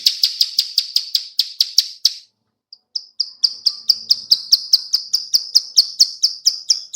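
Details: Female bar-winged prinia clicking call, used as a lure: rapid dry high ticks in a steady series, a short pause, then a second long run of evenly spaced clicks.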